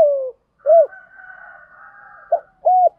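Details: Spotted doves, male and female, calling to stimulate newly caught birds. The tail of a falling coo, then an arched coo, a short clipped note and another arched coo. A faint high drawn-out whistle runs between them.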